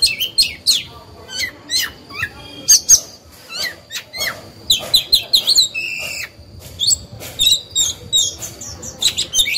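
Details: Decoy oriental magpie-robin singing to stir other birds into singing: a loud, continuous run of sharp chirps, trills and high whistled phrases packed closely together, with a brief lull midway before the varied notes resume.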